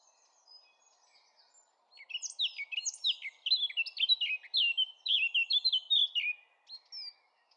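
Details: Eurasian blackcap song: after a second of faint, scattered high notes, a fast, rich warbling phrase of varied chattering and fluty notes runs about five seconds, then ends in a lone clear high whistle over a quiet, steady low hum.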